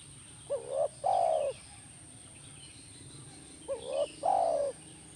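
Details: Two cooing phrases of a spotted dove, played to encourage a caged dove to call back; each phrase opens with a short upward double note and ends with a longer, soft, descending coo.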